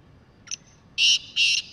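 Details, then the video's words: Wild black francolin: a faint short note followed by two loud, harsh, rasping bursts, the call cut short, with a quiet background. "Kala Teetar Full And Clear Voice | Best Voice of Kala Teetar | Teetar ki awaz"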